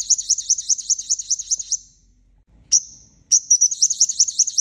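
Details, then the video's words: Five-coloured sunbird lure call for trapping birds: a rapid, very high twittering run of chirps, about ten per second, pausing briefly, then a single note and another fast high twitter; background otherwise quiet. "Tiếng Chim Hút Mật 5 Màu Mồi - Gọi Chim Bổi - Âm Thanh Chuyên Dùng Đi Bẫy"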